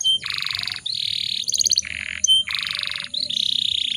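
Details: Breeding-condition female canary used to excite other canaries into song: dense buzzy rolled tours in blocks lasting about half a second, broken by short whistled pips and a quick ticking trill.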